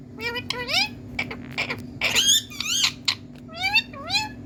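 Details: Indian talking parrot, natural green, producing varied voice-like sliding notes: rising whistles, a burst of dense harsh chatter, then more upward-curving calls separated by short pauses, heard in a quiet indoor setting with faint hum.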